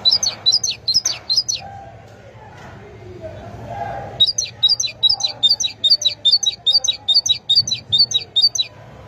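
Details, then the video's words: Great tit singing a rhythmic two-note phrase, high and bright, repeated about two to three times per second in two runs separated by a quiet pause of roughly two seconds. "أجمل وأعذب تغريد لطائر الحداد (القرقف الكبير )chant messange charbonnier"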